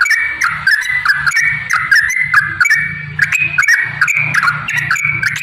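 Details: Rapid Yellow-vented bulbul song in the long 'ropel' style, with fast dipping whistled notes rolling on without pause, partly masked by steady background noise and a low rumble.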